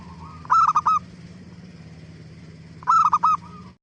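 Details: Zebra dove (perkutut) song used to coax other doves into answering: two stuttering phrases of quick, clipped cooing notes about 2.5 seconds apart, each ending in a short coo, with a constant low hum.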